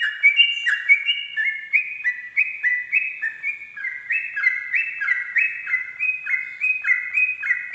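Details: Sooty-headed bulbul song in 'ropel' style at dawn, played for tutoring: a long, rolling series of stepped whistled notes alternating high and low, slightly uneven rhythm, occasional faint chirps above.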